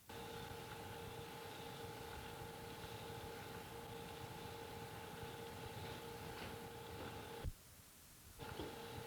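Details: Constant mechanical drone with steady tonal hum and a brief dropout near the end, no animal sounds.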